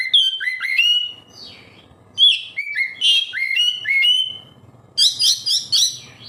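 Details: Captive-bird lure of an oriental magpie-robin singing: bright slurred whistles in quick succession, descending two-note phrases repeated several times, ending with a burst of harsh scratchy chattering notes.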